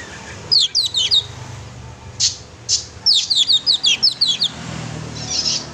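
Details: Chatty oriental magpie-robin song, meant to rouse a pet magpie-robin into singing: bursts of sharp, high, downslurred chirps, several per second, broken by two short breathy notes, with faint low rumble behind.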